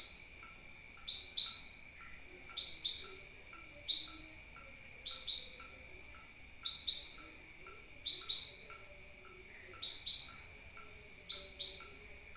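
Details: Sunbird lure call used to draw birds near: a long steady series of about nine paired, sharp, very high chips, one pair roughly every one and a half seconds, with a soft constant background tone.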